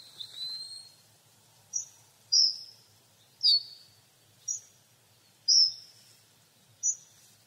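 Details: Sharp, high-pitched hawfinch (Coccothraustes coccothraustes) calls: a thin drawn-out note, then six emphatic clicking ticks roughly every second, some with a brief trailing hiss.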